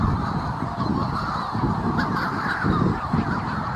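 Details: Manx shearwaters near the North Haven on Skomer call in a hoarse, raucous cackling chorus of overlapping voices over a steady low rumble of wind.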